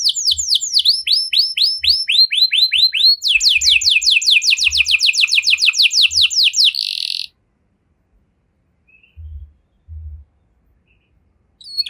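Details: Canary singing a 'cengkok mewah' (luxurious variation) song, played so that other canaries start singing: fast descending whistled notes, then a rapid rising-falling trill and a short buzzy burst, followed by near silence with faint low thumps.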